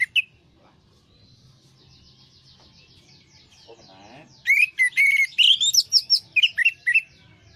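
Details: Orange-headed thrush song used as a lure for stressed birds that have stopped singing. After a faint opening note and soft whistles, a burst of loud, clear whistled phrases begins halfway through, varied and rising, with short gaps.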